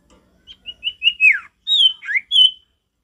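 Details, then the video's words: Male sirtu, one full phrase: accelerating high whistled notes sliding into a falling slur, then a long whistle, a rising slur and a final ringing note. "Sirtu gacor gak ada lawan suara ngalas alami"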